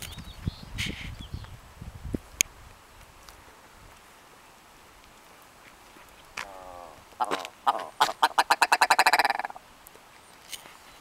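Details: A Willow ptarmigan in Denali, Alaska, gives a drawn-out nasal croak, then a fast rattling run of barking "bow bow bow" notes that speeds up over two seconds; low rumbling wind at the start.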